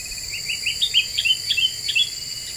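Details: Black-winged bulbul (kutilang emas) singing energetically, a lure recording said to provoke other birds; short clear whistled notes in quick rising and falling phrases, over a steady high shrill insect chorus.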